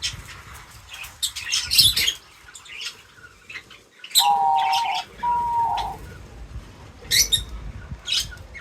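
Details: Birds at a feeder: bursts of short high chirps and tweets, with two flat, steady whistled notes in the middle and some wing flutter.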